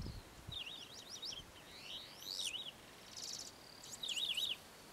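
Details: Many-colored Chaco finch at Sierra de las Quijadas National Park, giving three high, wavering, zigzag phrases spaced through the recording. The middle phrase opens with an upward sweep, and a steady soft hiss runs throughout.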